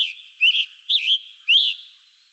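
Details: A Scarlet Tanager, a bird of hilltop openings in Carroll County, Ohio, sings short, hoarse, burry phrases, very raspy, like an American robin with a sore throat.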